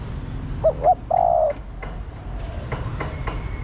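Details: Spotted dove female calling to the male. There is one brief phrase: two short soft notes and then a steady, slightly wavering coo lasting under half a second. A faint hum and clicks follow.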